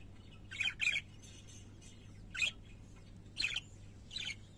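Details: Singing parakeets kept as pets give short harsh squawks in pairs and singles, spaced about a second apart, against a constant low electrical hum.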